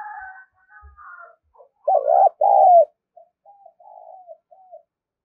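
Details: Spotted dove call used in trapping to excite decoys: soft distant cooing throughout, broken by one loud nearby phrase of a stuttered note and a long falling coo, then faint coos again.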